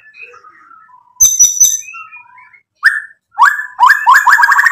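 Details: White-rumped shama in full song meant to provoke rival birds into answering: soft scattered whistles, then a sharp burst of clicks and a run of loud rising slurred notes repeated quickly near the end.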